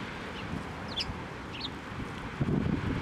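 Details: Eurasian tree sparrows at a Tenmangu shrine, 7 November 2023, coming to a hand for food; two quick high chirps in the first two seconds, then a burst of low rustling and handling noise.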